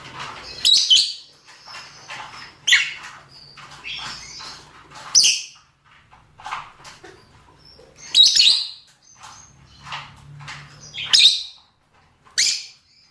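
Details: Male and female rosy-faced and Fischer's lovebirds calling for mating: shrill, harsh screeches in bursts of two or three, spaced irregularly over thirteen seconds, with softer chirps between and a faint low hum beneath.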